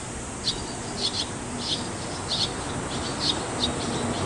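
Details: Swallow nestlings about to fledge, begging from a nest under a shop's eaves in Kinosaki's hot-spring town, Japan: faint, high, thin chirps in short bursts about every 0.6 seconds over steady background hiss.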